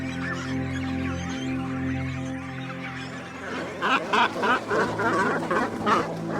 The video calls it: Cormorants Sound Library Preview